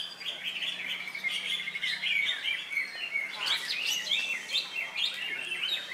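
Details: Recently moulted Greater Green Leafbird in an Indonesian contest on 3 September; continuous twittering song of high slurred whistles, growing busier and louder midway, over a faint low hum.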